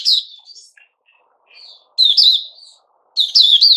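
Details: White-crowned shama in new feathers giving varied whistles and quieter soft notes, then two loud, rich warbled phrases.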